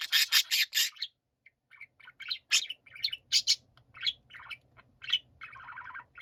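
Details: Pet budgerigars singing in chorus: a few harsh scratchy bursts open, then varied chirps, squeaks and twittering warbled notes in an irregular chattering stream.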